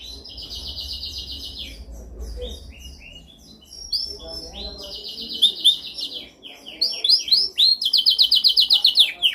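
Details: Canary singing dominant training song: a long buzzy trill, a pause of soft notes, then quick chips building into rising whistles and a loud pulsing trill near the end, low background hum.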